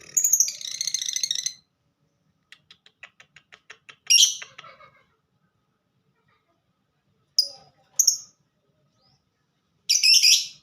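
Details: Lovebird of the fighter type in ngetik song: a long scratchy chatter, a soft rapid clicking series, a loud rasp, then scattered sharp high chirps and a closing harsh burst.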